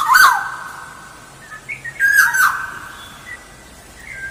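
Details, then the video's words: Black-naped oriole song used as a lure: two fluty whistled phrases near one second apart, each opening with a harsh, buzzy burst and sliding downward, with faint quieter notes between. "Suara Pancingan Kepodang Emas Gacor"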